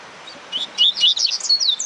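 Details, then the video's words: Warming-up song of a Rusty-collared seedeater: a brief rapid string of high, buzzy slurred notes, loud and dense, over a mild background hiss. "FOGUEANDO COLEIRO DE GOLA"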